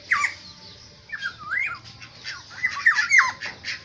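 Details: Black-naped oriole from Aceh giving short fluty whistled notes that slur downward and wavering, grouped in quick bursts, over faint scratchy background sounds and low hum.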